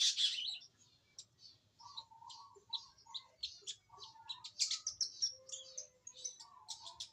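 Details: Young forest long-tailed shrike beginning to sing: soft, rambling subsong of varied short chirps and twittering notes with low warbled phrases, quiet and unhurried, a few louder high bursts.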